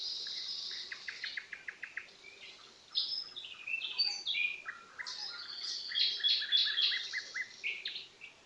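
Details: Common nightingale song: a row of evenly spaced clicking notes, then jumbled, fluty phrases, pure whistles and rapid trills, with other birds singing at the same time.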